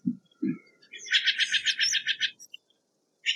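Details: Steller's jay giving a long rapid volley of around eleven grating, pulsed notes in about a second and a half; two low thumps open the recording and a short harsh note closes it.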